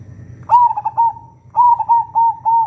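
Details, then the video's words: Local Indonesian zebra dove (perkutut) singing, used as a lure to stir other doves into song: clear mid-pitched cooing notes, a sustained coo followed by quick stuttering beats, then a fresh phrase of evenly spaced coos after a pause. "BURUNG PERKUTUT LOKAL GACOR SUARA COCOK UNTUK PANCINGAN || ZEBRA DOVE"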